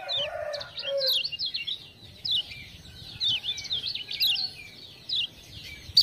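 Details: Lemon-bellied white-eye from Lombok, a tutor bird responding to ciak-ciak prompting calls: a lower chattering opening, then a long sequence of bright, rapid high warbling notes over steady low background noise.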